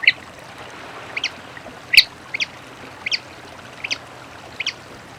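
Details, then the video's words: Papa-piri calling in the wild: a series of sharp, high, clipped notes, often doubled, spaced roughly a second apart, with a soft constant background hiss. "AVE PAPA PIRI CANTANDO NA NATUREZA"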